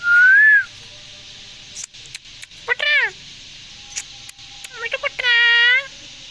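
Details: Rose-ringed parakeet, a talking green parrot from India: a short rising whistle opens, then a brief harsh down-arching call and, near the end, a longer nasal, richly layered call, with scattered clicks and taps between.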